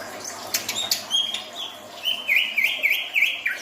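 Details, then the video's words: Greater green leafbird (cucak ijo), in breeding condition, sings a run of clear whistled notes: short high chips, then a series of slurred whistles near the same pitch with brief dips, repeated roughly every third of a second, over faint background hiss. "cucak ijo hyper minta nikah"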